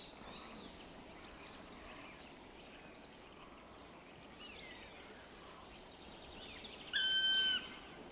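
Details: Black woodpecker recorded 3 April 2022 gives a single loud, drawn-out, plaintive note near the end, over faint thin chirps from small birds.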